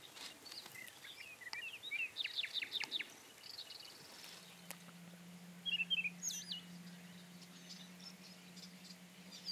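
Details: Song of a Rufous-tailed scrub robin: a quick run of sharp, repeated chipping notes, then after a pause a brief twittering phrase and a high looping whistle, with a constant low hum underneath.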